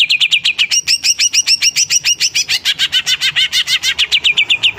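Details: Greater green leafbird, a caged songbird kept by hobbyists, in full song: a rapid, unbroken run of sharp high notes, about three to four a second, with slurred chevron-shaped phrases that shift and vary as the run goes on.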